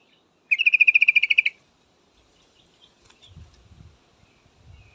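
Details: A female yellow-vented bulbul calls for a male with a quick burst of about fourteen evenly spaced, slightly buzzy notes lasting a second, followed by quiet and faint low rustling.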